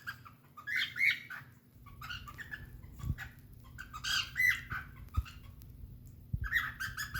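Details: A pet cockatiel making happy noises gives bursts of bright, squawky chirps and warbles, with pauses between, while a second cockatiel is in the background.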